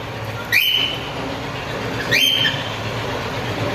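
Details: Cockatiel (Nymphicus hollandicus) call: two shrill, rising whistled calls about a second and a half apart.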